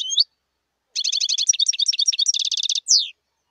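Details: Wild European goldfinch delivering a continuous phrase of rapid, evenly repeated high chirps mixed with twittering flourishes, then a dry buzzy trill and a final falling slurred note, after a short opening chirp.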